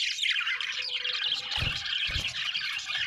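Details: Several budgerigars, called happy, keep up a bright warbling chatter mixed with harsh squawky notes, with brief low knocks near the middle.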